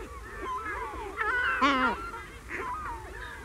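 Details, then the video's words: Herring gulls in a colony give close-up long calls and mew calls: loud, harsh, drawn-out yelping notes that bend downward, overlapping with other gulls' squealing calls in the background. "Herring Gull. CU Long Calls And Mew Calls In A Colony"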